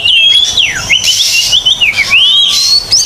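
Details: Oriental magpie-robin (kacer) giving clear, loud whistles on a tutor recording for silent birds: a long note sweeping downward, then a run of rising and falling whistled slurs, over faint high hiss.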